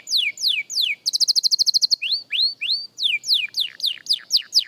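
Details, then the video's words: Young canary at song practice: three falling whistles, a crisp trill of about twelve rapid notes, two rising arched slurs, then a string of descending sweeps. "Young Canary Singing Practice – Surprisingly Good for a Beginner!"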